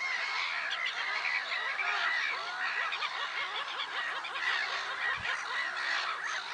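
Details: Noisy gathering of black-headed gulls at Kazakhstan's Lake Sarymsak, Pavlodar Region, 10 April 2011: rasping shrieks overlap continuously, with quicker, lower chattering notes repeating beneath them.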